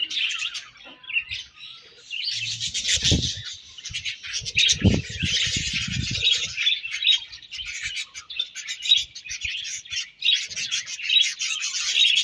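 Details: A morning colony of budgerigars keeps up a continuous high, buzzy warbling chatter from many birds, with a few low knocks and rustles around the middle.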